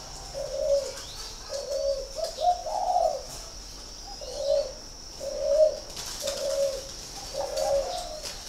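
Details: Spotted dove from a northern Vietnamese bird farm in Ba Vì, Hanoi, cooing in a loose series of mellow, low notes, one rising and falling mid-sequence, with a persistent thin high tone in the background.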